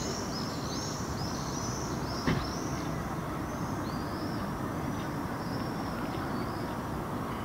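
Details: Common Swifts over urban Helsinki, Finland, on a summer evening at sunset in August 2015, give thin, high, shrill screams in quick overlapping bursts over a steady low rumble of wind or distant traffic, with one brief thump.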